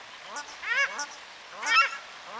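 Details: Paradise shelduck in New Plymouth, New Zealand, giving loud honking calls, two harsh nasal bursts with layered harmonics rising then falling, separated by a pause; a man speaks French faintly in the background.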